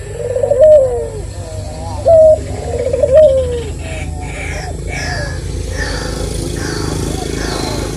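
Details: Barbary dove, called lively and melodious, repeats its coo three times: a bright held note followed by a falling, tremulous roll. Steady noise takes over afterwards.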